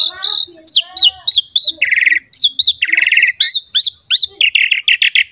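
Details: Lively masteran song of an Asian pied starling, used to lure and teach young birds: steady whistled notes near one pitch broken by buzzy grating bursts and quick rising chirps, delivered in rapid succession.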